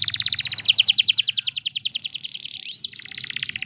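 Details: Canary song for training other canaries to sing: a long rapid rattling trill of evenly repeated notes, briefly joined by a swooping whistle, then a softer continued trill.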